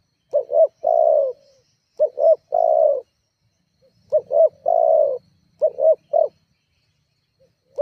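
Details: Spotted dove calling to provoke rivals, used as a lure to make other doves call; four low cooing phrases, each two short rising notes and one long, slightly falling coo, with pauses between phrases.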